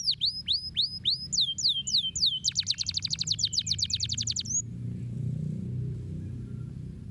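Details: Canary singing, meant to spur lazy canaries into song: a run of clear descending whistled notes leading into a rapid rattling trill that stops abruptly, followed by quiet low room hum.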